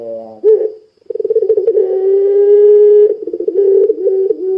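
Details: Puter pelung dove cooing hard to coax other doves into calling: a buzzy opening tone, then a trembling roll leading into a drawn-out steady coo that breaks into stuttering pulses before a final low note.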